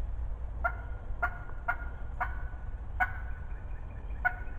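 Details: Close, chatty wild turkey hen during the spring 2020 season, six hoarse yelps at irregular half-second to one-second gaps, low background rumble throughout.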